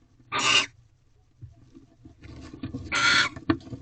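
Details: Barn owls in their nest box at Corral during a night-time mating ritual, 3/2/23 at 1:13 am: a short hoarse screech, quiet shuffling and faint scratching, then a second rasping screech and a sharp knock.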